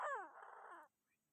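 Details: Chinese francolin calling to provoke other birds: a harsh, loud burst with falling harmonic strokes, settling into a rasping buzzy stretch under one second long, then silence.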